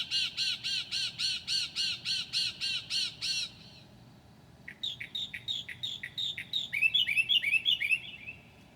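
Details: Northern mockingbird singing at 2 a.m. on a July night, mimicking other birds: a rapid series of harsh, evenly spaced rasping notes, a short pause, then varied quick chirps and buzzy phrases.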